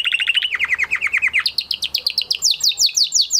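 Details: Male canary in post-moult song, fast trilled syllables descending in pitch, then switching to higher repeated chips that climb further, about three notes a second.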